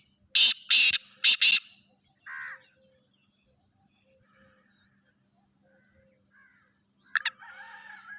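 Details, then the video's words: Grey francolin calling: three loud, harsh, broadband bursts in quick succession, then a softer note and near silence with a faint steady hum, ending with another sharp burst and a trailing rough note. "Khasar Teetar Full Size Sindi kala Teetar"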